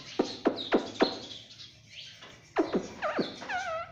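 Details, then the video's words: Pet parrot that talks, saying "mummy"; a run of short abrupt syllables about every quarter second, a pause, then more clipped notes ending in wavering whistled sounds, over a faint low hum. "Talking parrot video || Mummy bolne wala tota"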